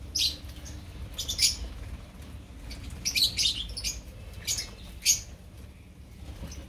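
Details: Opaline lovebirds in a colony making scattered, piercing short chirps and squeaks, a few louder single notes standing out against a soft low background hum.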